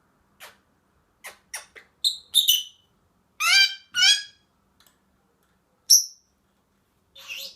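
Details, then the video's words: A happy pet Senegal parrot gives a quick run of short sharp chirps, then harsh, buzzy, harmonic squawks and a bright high squeal. The notes come in bursts separated by brief silences. "senegal parrot happy"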